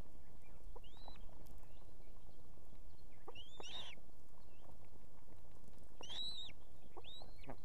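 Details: Female osprey at an evening nest in Estonia with two chicks, calling the male to bring food: four high, whistled, upslurred chirps that flatten at the top, spaced about every two seconds, over steady low background rumble.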